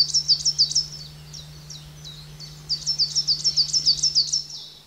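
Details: Rapid, high-pitched coal tit notes from a garden bird pond in the Veluwe. A short first run is followed by a longer burst of about nine sharp repeated notes, with a faint low hum throughout.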